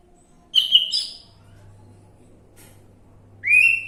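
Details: Orange-headed thrush lure song for prompting a bird to sing: a brief pair of bright whistled notes, a gap with a steady low hum, then a rising whistle starting near the end.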